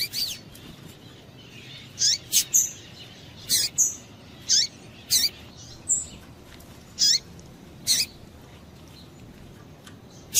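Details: A female double-collared seedeater calls to stimulate males with sharp, brief high-pitched chips in irregular singles and pairs across ten seconds, over steady soft background noise.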